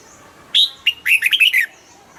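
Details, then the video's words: Caged red-whiskered bulbul, a favourite of the double-style singing crowd: one bright song phrase, a loud whistled note, then a quick run of five or six liquid, warbling notes rising and falling, all within about a second. "นกปรอดหัวจุก นกปรอดหัวจุก เสียงนกกรงหัวจุก ขวัญใจสายเบิ้ลอาชีพ"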